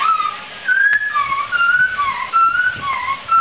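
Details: Laughingthrush song used as a training recording for songbirds: clear whistled phrases, alternately rising and falling, repeated in a steady series, with faint background rustling.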